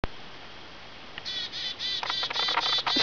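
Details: Chickadee recorded in December 2012 giving a quick run of harsh, buzzy notes, about four a second, after a short faint opening note; otherwise quiet.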